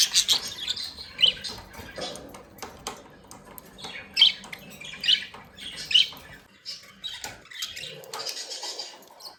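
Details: Happy, playing budgerigars give a series of separate harsh squawks and chirps at irregular intervals, roughly one a second, with quieter chattering in between.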